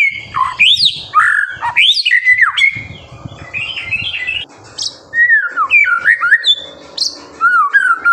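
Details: Active song of a white-rumped shama meant to provoke young shamas into singing: loud rising and falling whistles, harsh squawky notes, then a quieter stretch followed by clear downslurred whistles and high chips.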